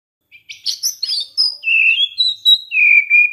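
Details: White-rumped shama singing as a lure for other shamas: a burst of sharp high chattering notes, then long pure whistles stepping between pitches, each held steadily.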